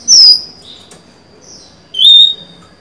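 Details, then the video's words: Caged female Oriental magpie-robin luring a male with song, 23 July 2020: two bright, clear whistled notes, the first falling and the second sliding slightly downward, separated by a faint softer note. "Chòe than mái mới: 23/7/2020; hót hay, kích bổi máu chiến!"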